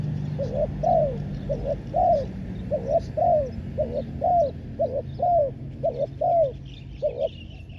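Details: Decoy spotted dove calling on the ground to draw in wild doves: steady run of husky coos, short doubled notes alternating with drawn-out falling ones, roughly fourteen notes, with faint background hum.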